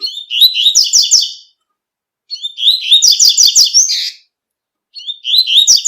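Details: Tui tui song of a double-collared seedeater recorded in nature. Three repeated phrases of clear, slurred whistles speed into dense buzzy trills, each lasting about one and a half seconds with short pauses between. No competing sounds are heard.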